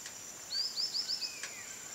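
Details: A White-lored tyrannulet utters five fast, thin, high upward-sweeping notes in under a second, set against a continuous high-pitched insect background and a faint sliding whistle.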